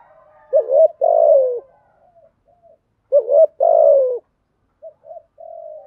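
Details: Deep-voiced spotted dove from Vietnam in the 'bài bản thúc gù' cooing style, meant to provoke wild doves. Two low phrases of a doubled coo and a drawn-out falling note, with quiet trailing notes after.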